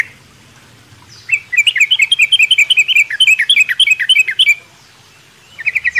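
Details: Sooty-headed bulbul singing in a mini aviary in the morning: a rapid run of bright chirping notes packed around three seconds, then silence and a short burst of chirps at the end.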